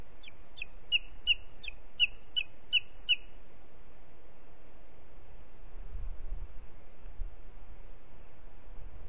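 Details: Booted eagle calling in Parc Natural dels Ports on 4 July 2021 at 13:39: a quick run of about eight high, shrill whistled notes, each dropping slightly in pitch, lasting three seconds, then only steady low background rumble.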